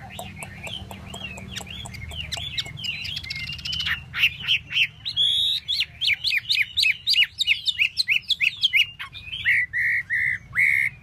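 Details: Tail-displaying hwamei repeating quick whistled notes laced with clicks, building in loudness and ending with three strong, ringing whistles.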